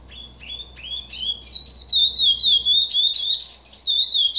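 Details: Chestnut-bellied seed finch (curió) singing, captive-bred, a bloodline from Brazil: clear sweet whistled phrases, wavering and slurring up and down, notes running into one another in a steady flowing warble.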